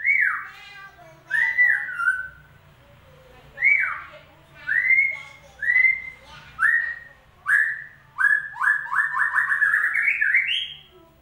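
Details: Lure recording of White-rumped shama song meant to start a silent bird singing: repeated slurred whistles that drop in pitch, given roughly once a second, then a quick rising run of short notes at the end.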